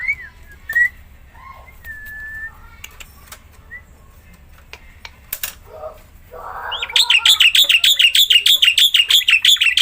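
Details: Singing Black-winged myna, kept to coax silent mynas into song: scattered thin whistles and clicks, then a fast, loud train of evenly repeated harsh, metallic notes to the end.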